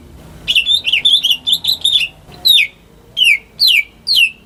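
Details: Home-reared greater green leafbird, a lure for silent birds, starting with a quick chattering warble, then four loud falling whistles at steady intervals.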